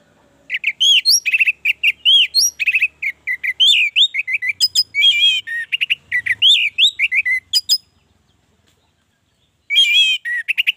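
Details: Orange-headed thrush in lively continuous song, a lure to get other birds singing: many varied whistled and slurred notes pour out rapidly for about seven seconds, then a pause and a renewed burst.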